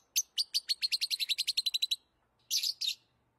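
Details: Lovebird producing a rapid string of around fourteen piercing chirps lasting nearly two seconds, followed after a short gap by two rough, noisy screeches.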